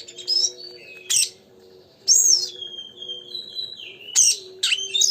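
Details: Oriental magpie-robin in full lively song, used to provoke another magpie-robin to sing: sharp bright chirps alternate with long, clear, slowly falling whistles, and a faint steady hum runs underneath.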